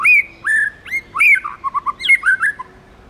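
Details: White-rumped shama in wild-style song, loud whistled notes with rising and falling slurs, then a fast run of short lower notes and a varied burst near the end, against low steady hum.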